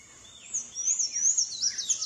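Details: Sayaca tanager singing free in nature: after a quiet start, a fast run of thin, squeaky, very high warbled notes with short rising and falling slurs. The notes follow each other closely, with a faint lower twitter underneath.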